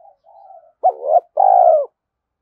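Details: Spotted dove decoy coo for attracting wild doves: a faint soft coo, then a sharp hooked note and a long, loud, level coo ending in a slight drop.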